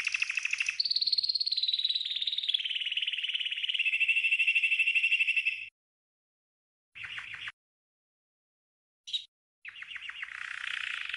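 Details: Green canary training song for tutoring other birds: a long buzzy rapid trill sliding from high to lower pitch for about five seconds, then short bursts of repeated notes after pauses.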